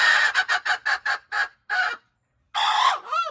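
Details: Hen recorded crowing on January 21, 2025: a string of harsh, rapid clucking notes, a pause, then a loud, hoarse drawn-out crow that breaks off with a wavering tail.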